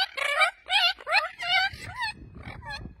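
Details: Captive Spix's macaw (Cyanopsitta spixii) at a breeding farm giving a quick run of about six nasal, wavering squawks in three seconds, each rising and falling in pitch, over faint background rumble.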